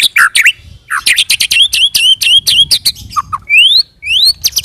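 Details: White-rumped shama rolling song used as a lure to make other shamas respond: loud varied whistles, sharp clicks and rising slurred notes, delivered in quick irregular bursts with short pauses.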